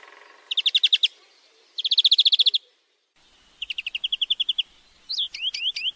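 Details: Song of a European greenfinch, recorded to tutor a bird in singing: four separate bursts of rapid, evenly spaced trilled notes, then a quick series of rising, slurred whistled notes.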